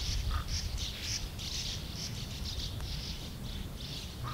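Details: Sand martins in a colony of over 100 birds, giving rough, chirping bursts several times a second in uneven, overlapping runs over a steady low rumble.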